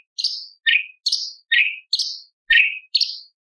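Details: Light-vented bulbul singing a prized 'tembakan' song said to carry learned fill-ins of lovebird, parakeet, prinia and pancawarna: bright whistled notes alternating high and lower, each sliding downward, about seven in quick succession.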